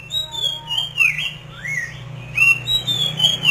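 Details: Masked laughingthrush in full song, giving loud clear whistles that slide up and down in rolling slurred phrases, with a steady low hum behind.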